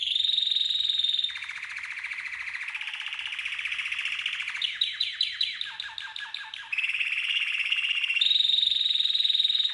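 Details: Canary; training song; teaching young canaries to sing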